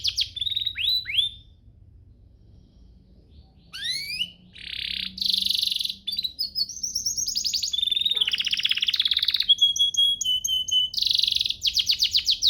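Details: Canary master song for teaching canaries to sing: a brief set of falling whistles, a pause, then rising slurs, buzzy bursts, high trills and long rapid rolls of repeated notes.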